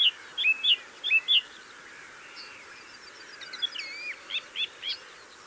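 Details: Mistle thrush perched on a gorse bush in song: loud, fluty whistled notes delivered in quick paired bursts, a pause, then softer looping phrases, with other small birds chirping faintly behind.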